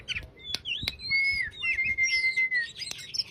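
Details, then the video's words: Oriental magpie-robin in fast, relaxed chattering song, used as a lure to make a quiet, idle bird start singing; sweet whistles, a long level whistled note, trills and sharp clicks packed together. "Kacer konslet ngobra"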